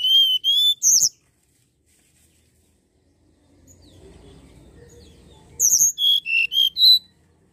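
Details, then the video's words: Common iora lure sound: two quick bursts of four or five bright, high whistled notes, separated by a few seconds of faint low rumbling background noise. "Pancingan bunyi burung tledekan gunung"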